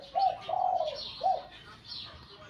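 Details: Spotted dove, kept for song competition and trained at home before going to the field, giving three low, mellow coo notes, the middle one drawn out, with faint higher chirps of other birds behind.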